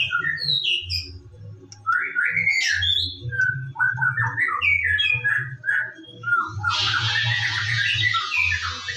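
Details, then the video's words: White-rumped shama singing in the morning, played as a lure recording to prompt other shamas to sing: a varied run of clear whistled and warbled phrases, some rising, some falling, ending in a dense, rapid, buzzy burst, with low hum beneath. "PANCINGAN BURUNG MURAI BATU DIPAGI HARI AGAR GACOR"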